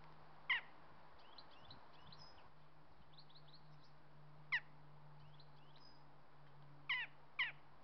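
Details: Western jackdaws waiting in line give four short, sharp 'tchak' calls, single then a quick pair near the end, over faint twittering of small birds and a steady low hum.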